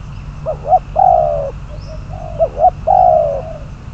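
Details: Decoy spotted dove number 22, used to trap birds, calling in short paired coos that lead into a long, smooth coo, with the pattern repeated twice over a quiet humming background.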